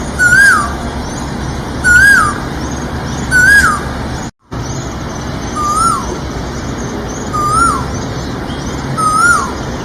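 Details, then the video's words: Asian koel giving six short, clear whistled notes that rise and drop, about every two seconds, over steady low background rumble. "Asian Koel | Natural Sound Effects"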